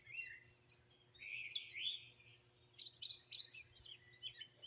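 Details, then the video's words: Several wild birds sing and chirp together in Greenville, South Carolina, 2023, phone recording: bright high twittering phrases and quick chirps overlap in bursts throughout, with a faint steady low hum underneath. "Bird Chirping Sounds"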